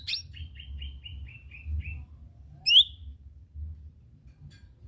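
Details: Lesser green leafbird (cucak ijo mini) recorded as a lure song to prompt other birds to sing. A rapid run of short, high chirping notes falls slightly in pitch, then one loud, sharp, rising whistled note follows, over a low background hum.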